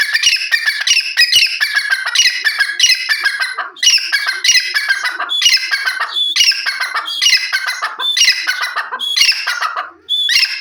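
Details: Loud, ringing calls of a grey francolin, a harsh phrase repeated roughly every second in an unbroken rhythmic sequence, with a brief dip near the end before calling resumes.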